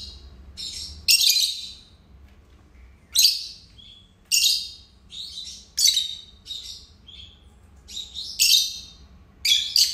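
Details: A pet pair of lovebirds chirping indoors: a lively run of shrill, scratchy chirps in uneven bursts roughly every second, with brief softer notes between the loud calls.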